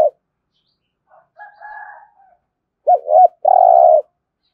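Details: Spotted dove cooing in the 'thổ' voice to stimulate other doves. Faint soft notes come first, then a loud phrase of two hooked notes and a drawn-out mellow coo.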